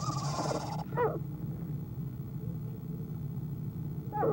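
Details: Owl at the nest, nest camera, 1:20pm, 5-11-2015, quiet sound: a short breathy hiss, then brief wavering tonal notes sliding downward, a pause, and another short falling tonal note at the end, over low hum.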